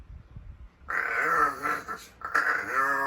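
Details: Rescued large-billed crow in morning voice practice, warming up to call out a greeting; low rumbling noise, then two drawn-out hoarse, nasal calls separated by a brief gap, the second ending in a slight downward slur.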